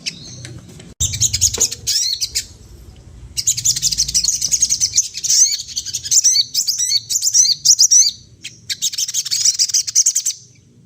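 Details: Sunda laughingthrush in full song, imitating other birds' sounds: dense bursts of high, sharp chirps and twittering trills come in long runs, broken by short pauses. A soft low rumble sits underneath.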